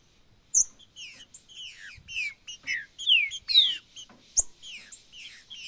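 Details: Green-winged saltator singing in the macheado and piado styles to excite a caged bird: a run of sharp, falling whistled notes, some rising then dropping, over near silence.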